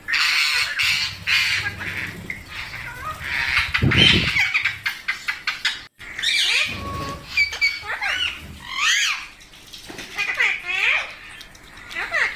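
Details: Parrot calling in a mix of harsh broadband bursts and sharp downswept whistled notes, with a rough low burst near the middle and a brief gap before a run of rising-falling squawks.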